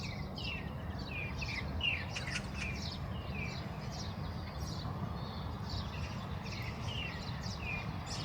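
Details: Oriental greenfinch: a series of short, bright, twittering notes and little rising and falling whistles, repeated through the clip over a steady low rumble of background noise.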